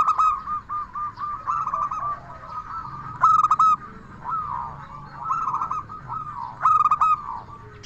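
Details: Vocal local zebra dove with a clear, crystal-toned voice, used to lure and excite other zebra doves: sharp bell-like note clusters and fast bubbling trills, repeating about every two seconds.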